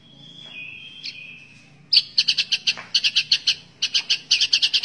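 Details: White-rumped shama song in a training recording for other birds: a long thin whistle, then a fast series of sharp, bright repeated chirps.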